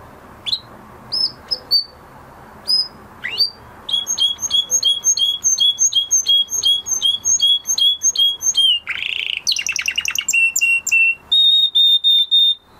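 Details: Canary after its moulting period: scattered single chirps, then a long, even series of rapid paired notes, a harsh buzz, fast falling trills and closing steady whistles.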